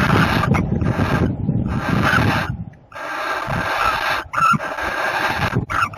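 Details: Barn owls copulating, 30 April 2018: rasping, hissy screeches in several bursts separated by short gaps, over steady low background rumble.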